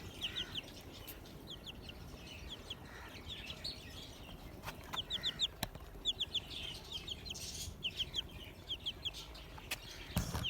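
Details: Newly hatched desi chicks, hatched after 15 days, peeping in rapid bursts of short high downward-sliding chirps, several in quick succession, with pauses between groups, a few sharp clicks and knocks, and a low steady background hum.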